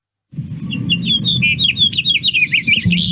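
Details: House Finch song in the breeding season: two songs, a rapid, jumbled warble of high, varied slurred notes, rising and falling about three a second, over a low background rumble. The first song ends with a buzzy "gear" sound that is missing from the second.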